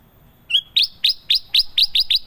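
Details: Kutilang emas (golden bulbul) singing in a lively 'gacor' style. After one short whistled note comes a rapid string of about nine bright, downslurred chirps, evenly spaced at roughly four to five per second. The background is quiet.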